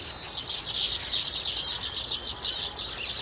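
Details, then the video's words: Many baya weavers twittering at once, a dense high chatter that pulses in quick bursts about several times a second. "Baya weavers birds sound effect"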